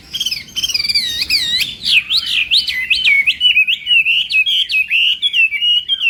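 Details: Chinese hwamei in competitive morning song for voice training: looping, swooping whistles at first, then a fast, steady string of sharp, zigzag whistled notes.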